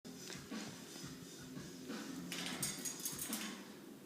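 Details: A male cockatoo, apparently not happy, mimics a typewriter indoors with rapid, uneven clattering clicks and sharp bursts, about four a second, over a low throaty undertone.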